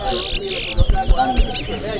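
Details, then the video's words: A chestnut-bellied seed finch (towa towa) at a bird singing competition in Corriverton gives two quick buzzy bursts, then a clear high whistle that rises and falls, among crowd murmur, counting and low thumps. "TOWA TOWA BIRD SINGING COMPETITION"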